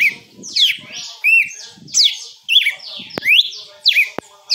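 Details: Red-cowled cardinal in açoite-style song, bright whistled downslurs and arching notes repeated in brisk phrases, with faint low murmuring and a couple of sharp clicks underneath.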